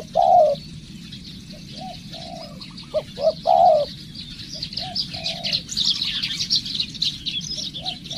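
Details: Spotted dove kept as a decoy and being trained: low cooing phrases of short notes and longer coos, fading later while a buzzing insect chorus swells louder.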